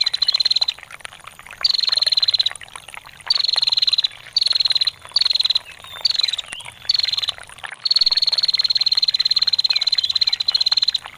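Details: Female bar-winged prinia giving a long ngetir call, used as a master recording for songbirds, with trickling water: about seven bursts of rapid, dry, high ticking trill, the last sustained over three seconds, over a soft water background.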